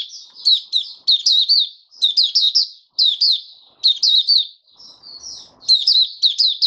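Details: Captive oriental white-eye singing on the fifth day after monthly deworming, recorded 20 January 2022: clean, high, tumbling twitter phrases about every second, one softer slurred warble near the end, quiet background.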